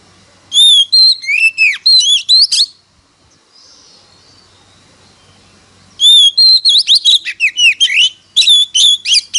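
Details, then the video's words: Oriental magpie-robin in a singing contest, delivering a burst of rich whistles and quick slurred notes, then about three seconds of near silence, then another long, lively run of varied whistled phrases. "Chích choè than hót đấu"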